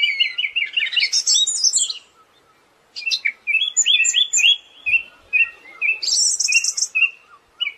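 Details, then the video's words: Siberian thrush singing, for tutoring songbirds: a dense run of warbled trills, a silent gap, then assorted whistled phrases and a high buzzy burst among repeated chirps. "Master suara burung anis"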